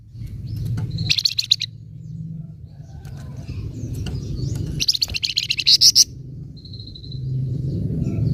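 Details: Scarlet minivet chattering in 'nyecret' style to provoke untrained birds: two bursts of rapid harsh high notes, the second ending in bright piercing chips, then a thin whistle, over continuous low rumble.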